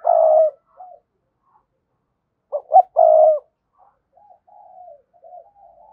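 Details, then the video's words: Spotted dove calling to a rival bird: a long coo, a pause, then two sharp short notes and a sustained coo, trailing into quiet soft cooing. "cu gáy thúc gù & gáy gọi bổi hay"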